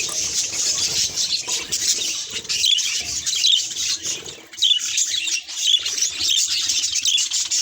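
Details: Budgerigar reacting to its reflection: high warbling chirps in uneven bursts, with a short lull partway through before the chattering picks up again.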